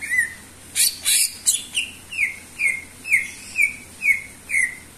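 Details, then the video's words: Greater green leafbird singing vigorously: after a few harsh rustling bursts, a regular run of eight down-slurred bright whistles follows, about two per second, over faint hiss. "sura burung cucak ijo gacor"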